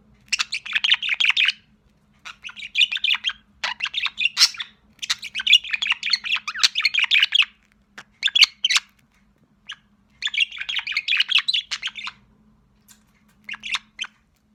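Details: Sociable budgerigar chick, a pet parrot, chirping in bursts of rapid, scratchy warbling chatter lasting one to two seconds, separated by short pauses, with a faint steady hum underneath.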